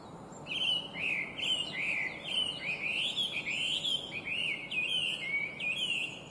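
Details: Chinese hwamei, an invasive introduced species, in cheerful, beautiful, complex song: a continuous run of loud slurred whistles, rising and falling and repeated in quick varied phrases, with steady background hiss.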